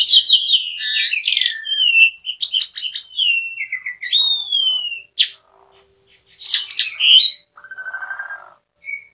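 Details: Asian pied starling in full, noisy song, a varied medley of loud clear whistles, rising and falling slurred notes, harsh buzzy chatters and squeaky phrases in quick bursts with short pauses; a species known to mimic human speech.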